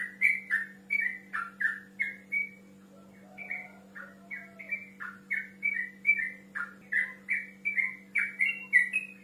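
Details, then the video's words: Yellow-vented bulbul in full song calling a rival, used as a lure for young birds: a steady run of bright, bubbly chirped notes, about two a second, over a constant low electrical hum. "TRUCUK GACOR NGEROL MEMANGGIL LAWAN"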